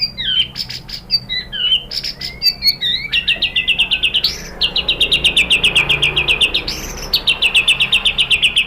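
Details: White-rumped shama song played to make other shamas sing: varied slurred opening notes, then long fast bursts of high repeated notes, about four per second, with short breaks.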